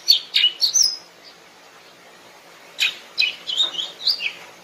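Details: Wild greater green leafbird song: a short burst of chirped and slurred whistles, a pause of almost two seconds, then another lively run of varied whistled notes.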